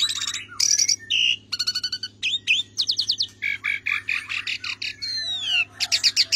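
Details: Javan pied starling tutor song: rapid rattling trills, clear whistled notes and a long falling whistle, delivered in quick varied phrases above a constant low electrical hum.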